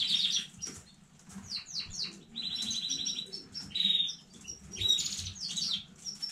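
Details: Young home-bred canary singing on 15 May 2019: quick high descending chips, a steady rolling trill, thin whistled notes and bursts of fast buzzy phrases in varied succession.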